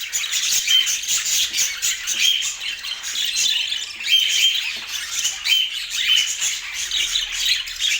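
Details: Pet budgies in Portland giving continuous high, scratchy warbling chatter. Many short chirps and squawky notes pile over one another at a steady level throughout.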